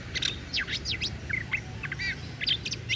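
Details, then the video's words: Oriental magpie-robin of the daput type in energetic song, rapid steep whistled sweeps and sharp chirps tumbling together in a busy, varied stream over quiet low-pitched hum. "KICAUAN KACER DAPUT MEMPESONA"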